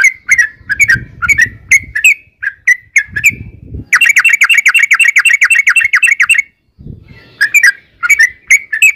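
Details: Yellow-vented bulbul singing in the long ropel style: spaced sharp notes give way to a dense, fast chattering run lasting over two seconds, then spaced notes return; soft low rumbling comes and goes.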